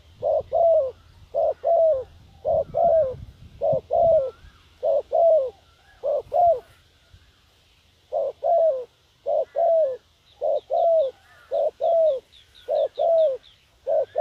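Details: Decoy spotted dove calling to lure wild doves: regular paired coos, a short note then a longer falling one, repeated about a dozen times, with faint high chirping from other birds in the latter half.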